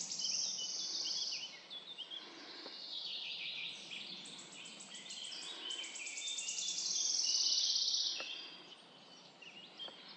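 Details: Several birds singing on a forest morning: high bright trills and sweet warbled phrases overlap, with a loud rapid trill swelling near the end before quieter scattered chirps; a steady soft hiss runs beneath.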